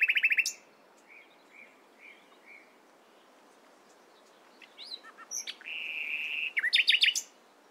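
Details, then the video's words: A nightingale sings in the morning: an opening rapid trill, a string of soft spaced whistles, then scattered notes, a sustained buzzy phrase and a final rattling burst. "Nightingale Singing In The Morning"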